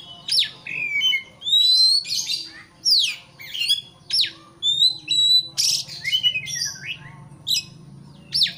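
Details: Oriental magpie-robin song intended to agitate a rival: fast series of loud whistled slurs, steep downward sweeps and harsh noisy bursts, with short gaps between notes, over a faint low hum.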